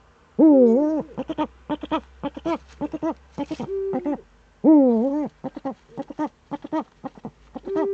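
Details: Eurasian eagle-owl, or Uhu, recorded in the Eifel early on 26 September 2013: two long, harsh, bending calls, each followed by rapid series of short chattering hoots.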